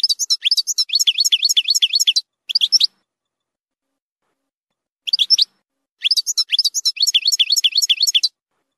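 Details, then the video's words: Young European goldfinch song with strong phrases, played for young goldfinches to learn: fast, liquid, tinkling twitters, about four notes a second, in bursts broken by short silences. "للتسميع صغار الحسون ،يحتوي على نهرات قوية"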